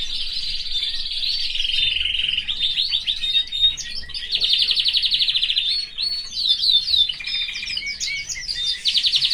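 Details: Caged male canary with his family, delivering a rich, fast song: buzzy rolling trills alternate with sweeping whistled phrases and dense chattering runs, scarcely pausing across nine seconds.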